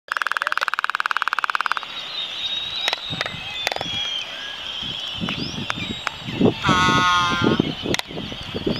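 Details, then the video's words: Laysan albatross during its mating dance on Midway Atoll: a dry rapid rattle of bill-clacking opens, then scattered clicks and a brief nasal, harmonic moan, over a steady high hum of colony noise and a few knocks. "Laysan Albatross Mating Dance"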